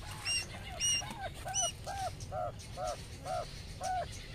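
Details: Mother quail calling to her twelve small chicks as they graze outdoors in the sun: a clear series of nine short arched, slightly nasal notes with ringing overtones, repeated about every half second.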